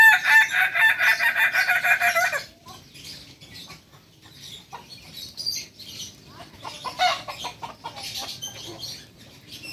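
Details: Rooster of the Kokok Balenggek breed gives a long crow of roughly eleven rapid, evenly pulsed syllables lasting over two seconds, followed by quieter background chirps and scattered small calls.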